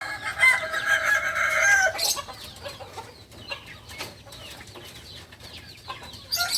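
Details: Novice Kukuak Balenggek rooster, a chicken native to Solok, West Sumatra, gives a loud harmonic crow lasting about two seconds, then falls quiet except for scattered clicks and faint rustling.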